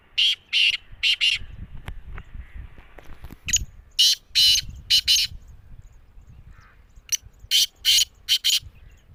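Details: Black francolin calling. Rasping, broad-toned notes are delivered in clipped runs of two to four, repeated after gaps of a few seconds, with soft low rumble behind.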